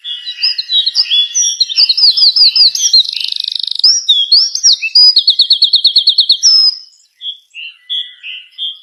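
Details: Vigorous, loud bird song of slurred whistles and quick buzzy trills, a rapid rattling series in the middle, then short separated whistled notes at the end.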